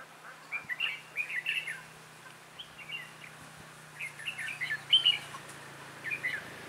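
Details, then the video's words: Red-whiskered bulbul used as a decoy in bird trapping sings on 11/12/2016, luring wild birds: repeated bouncy whistled phrases of three to five quick notes, delivered in bursts with brief gaps between them. "Bẫy chào mào Mồi tập sự ra trận"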